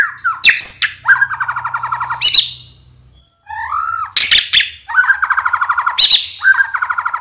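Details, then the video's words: White-rumped shama (murai batu) in full song, said to be provoked into emotional rattling 'krayer' phrases: harsh buzzy rattles repeated in quick runs, broken by sharp high chirps and a short whistled break, recorded in the morning. "PANCINGAN MURAI BATU AGAR EMOSINYA KELUAR"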